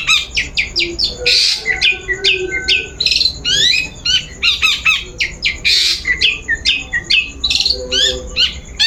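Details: Lure song of a long-tailed shrike, meant to trigger singing: rapid, varied chattering notes, about two per second, with loud harsh rasps mixed in and a steady faint whine.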